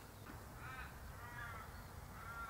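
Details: A red wattlebird, drawn to a sugar-syrup bottle in a native White Cypress tree, gives three harsh, raspy calls about a fifth of a second long, roughly every three-quarters of a second, over low wind rumble.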